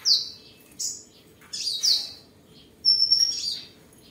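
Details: Sunbird kept at home in Tân Phú district, Đồng Nai province, Vietnam, recorded 23 July 2022 while singing, displaying and sparring: short high, thin chirps and squeaky notes in four bursts with brief pauses between them.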